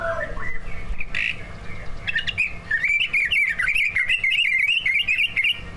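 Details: Greater green leafbirds, two kept prize birds whose song is full of mastered fill-ins, recorded as a lure for other birds to sing: a few squawky notes lead into a long, fast, warbling chatter of chirps without pause, over low hum.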